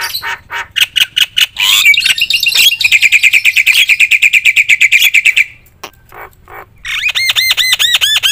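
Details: Javan myna in full, loud, energetic song packed with varied filler phrases, played to provoke other mynas: rapid harsh clicking notes, a long buzzy rattling train, then a run of looping whistled notes repeated near the end.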